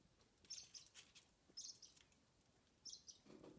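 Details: A six-week-old rosy Bourke's parakeet chick, still begging to be fed by its father on the back perch, gives faint, high, squeaky chirps in three short bursts about a second apart, with soft rustling and clicks between them.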